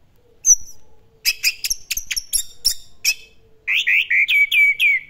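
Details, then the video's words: Orange-headed thrush in full classic-style song: a high whistle, then a run of sharp clipped notes, followed by a series of loud downward-slurred whistles repeated about every quarter second; a faint low hum in the background. "BURUNG ANIS MERAH GACOR GAYA KLASIK"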